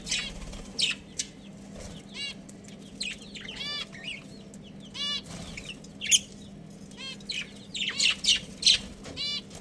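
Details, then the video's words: Budgerigars of a breeding pair and family chattering: repeated ringing, ladder-like chirps spaced about a second apart, mixed with harsh scratchy bursts and faint wing or cage noises, low hum throughout. "Adorable Budgies Chirping Sounds"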